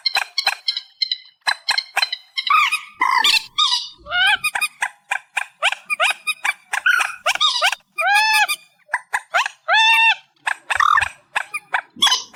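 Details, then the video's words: Reed warbler, amplified: varied harsh chattering song of repeated grating notes interspersed with clear, arching slurred syllables, delivered in energetic bursts with short gaps. "Tiếng Chim Trích Ré 2024 Bản Tăng Âm"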